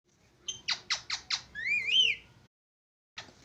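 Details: Plum-headed parakeet calling: four sharp, descending squawk notes in quick succession, then a drawn-out, rising-and-falling whistled screech, a pause, and another harsh note, in a quiet setting.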